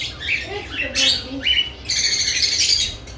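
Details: Lovebirds busy at freshly added nest boxes: sharp chirps and rasping squawks, a couple of short lower notes, then a loud noisy burst like rustling or wing flapping near the end.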